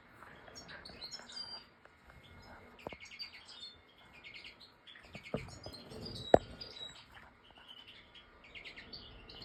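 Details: European goldfinch song, fairly faint and distant-sounding: scattered tinkling twitters and short buzzy chirps in loose clusters, broken by a few sharp clicks and knocks.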